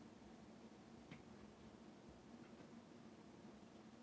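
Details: Quiet indoor room tone with a soft fan-like hiss and a couple of faint clicks, and no animal sounds.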